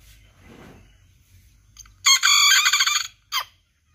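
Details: Serama chicken crowing boldly: after faint background rustle, a loud harsh harmonic crow lasting about a second, then a short clipped final note.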